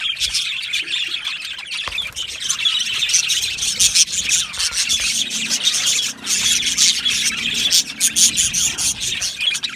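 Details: Budgerigar colony in an aviary, giving a continuous high twittering chorus with scattered squeaks and sharp chirps, dipping briefly near the middle before resuming.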